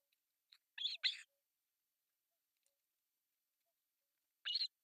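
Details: Three osprey chicks on a Finnish artificial nest in Pohjois Satakunta beg while being fed breakfast, July 1, 2024; two loud, rasping high chirps close together, a long quiet stretch, then a single matching rasp.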